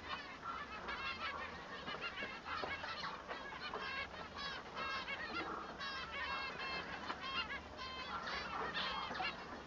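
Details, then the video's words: Singing male Bengalese finch, known locally as manon, whose song sets him apart from the female: dense, continuous chatter of twangy, harmonic notes and quick buzzy trills with hardly a pause. "El canto del manon"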